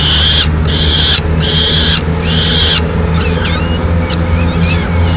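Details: Peregrine falcon family in Madrid while the male delivers a swift to the chicks and feeds them. Three loud rasping wails open the clip, then thin, high squeaky notes follow over a steady low hum.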